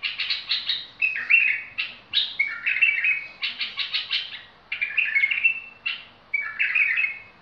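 A bulbul sings bright, bubbling phrases of quick chirps and warbled notes, repeated in short bursts.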